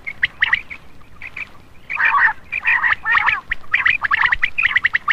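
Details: Common quail lure call for attracting males at night: short bursts of harsh, buzzy notes near the upper-middle range, bunched in quick groups with brief gaps. A louder, denser stretch comes midway.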